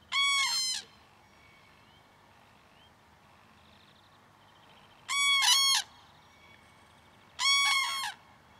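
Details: Early morning Common cranes, parents followed by their juvenile, give loud cries to draw attention to themselves. Three separate brassy trumpeting calls are spaced several seconds apart over faint background noise.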